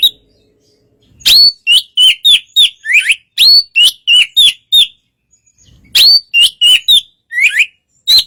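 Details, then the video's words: Relaxed song of a white-rumped shama, called kacer, to make a less aggressive bird respond; two phrases of about ten crisp whistled and slurred notes each, evenly spaced, with silence between. "suara kacer santai memancing kacer yg kurang emosi/Fightr"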